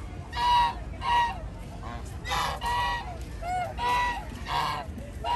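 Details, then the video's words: Flock of geese wandering in a park, giving loud nasal honks in a series of separate blasts, roughly two per second at first, with harmonic-rich tones and a low background rumble. "The flock of geese is wandering around in the park | Đàn Ngỗng đang dạo chơi trong công viên"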